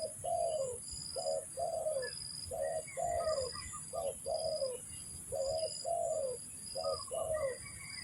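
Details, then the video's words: Spotted dove calling as a lure for bird trapping: low, mellow coos grouped as a short note followed by a longer, downslurred one, the pair repeated about every second, over a constant high, thin whine. "mikat burung tekukur, mikat burung derkuku."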